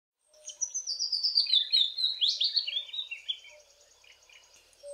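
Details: The season's first willow warbler, near Grahamstown, South Africa, singing from trees overhanging a stream: a sweet, liquid run of soft notes sliding gently down the scale over about three seconds, with faint background calls.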